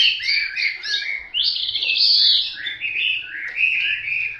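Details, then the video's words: Hwamei delivering a loud, rich song of overlapping whistled slurs, a brief dip before a stronger high phrase, then flowing warbles continuing to the end. "Họa mi tuyển chọn"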